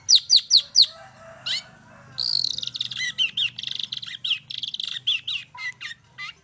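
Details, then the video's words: Long-tailed shrike song played to provoke birds to sing. Three sharp descending notes open, then a long grating buzz follows, then a run of harsh chatter mixed with bending, whistled phrases. "PANCINGAN TERBAIK!!! CENDET MAIN SATU TITIK"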